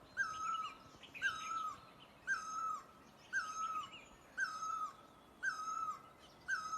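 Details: Great barbet, Asia, delivering seven strong repeated notes roughly a second apart, each with a sharp onset, level middle and falling end; clear high whistles and chirps from other birds accompany it.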